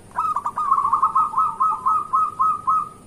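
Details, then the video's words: Local zebra dove song for morning luring: a single continuous trill of about twelve rapid, evenly spaced cooing notes at a steady pitch. "Perkutut lokal gacor pancingan untuk pagi hari"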